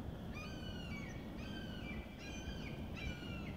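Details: Bald eagles, heard but too far away to film, at Cowles Bog, Indiana Dunes, give four thin, high, slightly wavering whistled calls about one per second over a steady low rumble of wind or distant noise.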